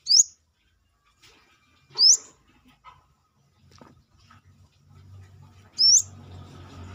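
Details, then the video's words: Brown-throated sunbird (kolibri kelapa) singing outside the cage, giving besetan-style calls: three piercing rising high notes, the first two about two seconds apart and the last after a longer gap, with soft low rumbling background noise. "KORLAP (Kolibri kelapa)Manggar gacor luar sangkar...masteran besetan kerasa."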